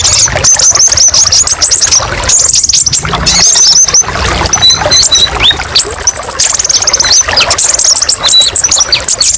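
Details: Kolibri ninja sunbird singing a masteran training song full of varied sharp 'tembakan' bursts: dense, very high thin twittering with rapid trills and quick down-slurred notes, nearly continuous, over a low steady hum.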